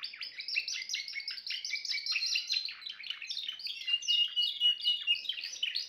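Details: Timbrado canary singing a continuous, dense warbling song of rapid trills and chirps, mostly high-pitched, with quick rolling phrases and short whistled notes over a quiet background.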